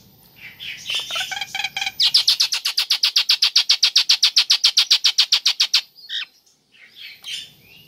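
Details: A female Nias hill myna calls for the male, a sound meant to stir a quiet bird: a few mixed notes, then a fast even series of about thirty sharp clipped pulses, followed by scattered softer notes.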